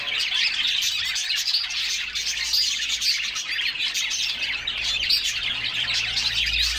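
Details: A group of canaries singing while bathing and splashing in a cool summer bath; dense, continuous twittering and chirping with brief thin whistled notes, many voices overlapping throughout.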